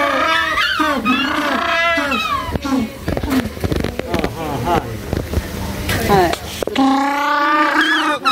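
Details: At Ise Sea Paradise, an African penguin gives loud, harsh, donkey-like braying calls while people chat nearby.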